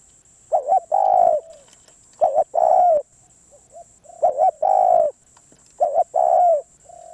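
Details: Wild-caught spotted dove calling after a lay-off: each phrase a short stuttered double coo then a long, even, slightly falling hoot, four phrases spaced roughly 1.8 seconds apart over a thin constant high-pitched tone.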